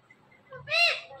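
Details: One of two pet talking parrots in conversation gives a single loud, raspy, harmonic squawk that swells and fades, preceded by soft low murmuring notes.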